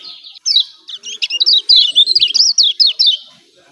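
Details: Yellow white-eye from Lombok making the 'ciak ciak' lure call: after a faint start, a continuous stream of sharp, high, zigzagging chirps, about four per second, fading at the close.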